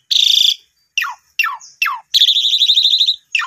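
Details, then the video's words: Asian pied starling song played as a lure to prompt a newly bought, silent bird to sing. A buzzy trilled burst opens, then three sharp whistles slide steeply downward, ending in a long rattling trill. "Pancingan 2 Menit jitu !! Jalak Suren Baru Beli Macet Langsung Nyaut Gacor Boangkar Full Isian"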